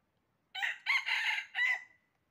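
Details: Red junglefowl during trapping, recorded 20 January 2023: a loud rooster crow in four connected parts, a short opening note then a long harsh middle and a drawn-out final note, in a quiet background.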